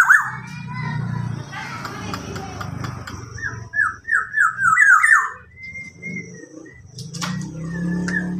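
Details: Tame local black-naped oriole imitating a police car siren: after a few seconds of people talking and rustling, a run of looping, wavering whistles rises and falls in quick succession like a siren, then a steadier whistled note and faint background noise.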